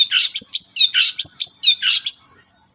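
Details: Long-tailed shrike singing, played as a lure to spur reluctant shrikes into song; a rapid jumble of loud harsh chattering and squeaky whistled notes for about two seconds.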